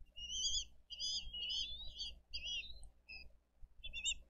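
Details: At a Dade County bald eagle nest on 22 April 2023, parents bring fish and feed the eaglets; loud, piercing whistled calls in quick, slurred bursts with rich overtones, a brief pause, then a final short burst.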